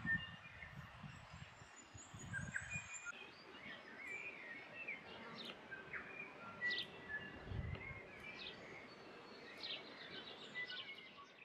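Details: In late spring in the Maungakotukutuku Valley, New Zealand, a bellbird sings clear, ringing bell-like notes and brief high chimes, with low wind rumble at the start and soft background birdsong.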